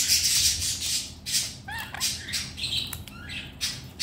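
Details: Indoor pet red-collared lorikeet, pleased with its chew balls and its owner home, giving scratchy squawks interspersed with quick whistled chirps and warbled notes.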